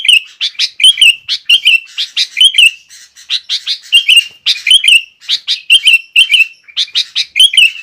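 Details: Energetic sooty-headed bulbul song meant to goad other bulbuls into singing and to tutor young birds: quick chirpy notes mixed with liquid, wavering whistled phrases, delivered in a continuous rapid stream over clean, quiet background.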